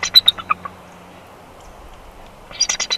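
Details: Bald eagle at the Big Bear Valley nest on 1 March 2021 during a nest switch between the pair, with a second clutch of eggs. A quick series of high, squeaky chirps opens and closes the clip, with near silence between.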